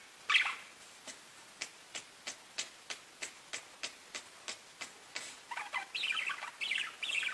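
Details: Parakeets chattering to each other: a sharp opening chirp, then a steady series of short ticks about every third of a second, ending in a burst of busy, warbling high chirps.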